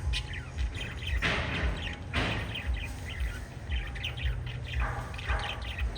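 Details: A group of five lovebirds chirping as they flutter about: rapid clusters of thin, sharp chirps and brief squeaky notes in uneven bursts, with a couple of louder rasping squawks, all above a constant low-pitched background drone.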